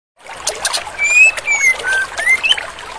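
A female white-rumped shama gives clear, slurred whistles, some rising, spaced through three seconds among scratchy, clicking notes.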